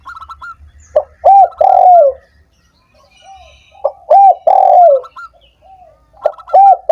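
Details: Spotted dove cooing, played to stimulate doves that are slow to call: low hollow coos grouped in phrases, each ending in a longer drawn-out falling coo, phrases about three seconds apart.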